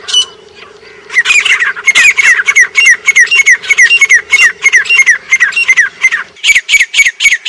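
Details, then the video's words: A grey francolin (grey partridge) in Pakistan gives loud, harsh, squawking notes in a rapid run of about three per second, over a steady low mechanical hum. "Grey Partridge | سنگلی آواز | Grey Francolin | Voice"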